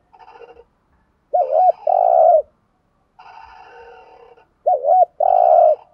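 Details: Thúc gù cooing of a decoy spotted dove meant to lure wild birds. Two phrases, each a wobbly double note and then a sustained hoot, alternate with softer buzzy, bubbling bird sounds.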